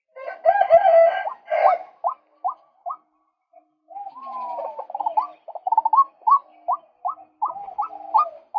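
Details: Male White-breasted Waterhen calling, used as a lure for catching birds: a rough, grating opening, then a long string of short, clipped, upward-flicking notes repeated quickly and unevenly.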